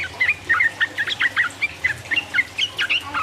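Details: Yellow-vented bulbul song used to stimulate rival birds: evenly spaced, bouncy slurred chirps, roughly four per second, bright and clear.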